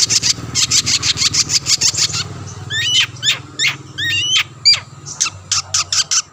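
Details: Long-tailed shrike song meant to provoke rivals into singing: a fast series of rasping chatter notes, then repeated quavering whistled phrases, ending in sharp clipped notes.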